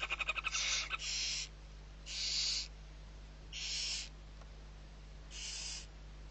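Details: Six owlets of the barn owl at feeding, Riet Vell, Ebro Delta, Spain, 21-11-23: opens with a fast rattling burst of clicks, then four drawn-out raspy hisses spaced one to one and a half seconds apart; faint hum behind.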